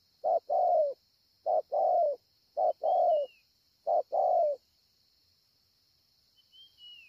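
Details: Spotted dove recorded at Ngọc Hồi, Vietnam, 25 March 2020, giving four paired coos: a clipped note followed by a longer, slightly falling hoarse one, about one pair per second. Silence follows, with a faint thin whistle and steady high hiss.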